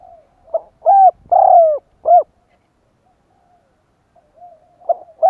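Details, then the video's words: Spotted dove call used to lure wild doves: a quick burst of short cooing notes, a stuttered note, then a longer falling coo and another short note, followed by near silence and soft trailing coos. "Cu gáy gọi kích bổi nhanh nổi / Tiếng chim cu gáy kích bổi Hiệu quả/ Cu gáy gọi bổi hay"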